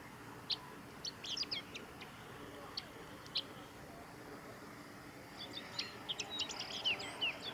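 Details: Male chestnut-eared bunting on Kirigamine Plateau, Japan, on 24 June 2018, gives high, scratchy chips and a quick jumbled twittering phrase, with scattered single notes in between, over a low steady background hum.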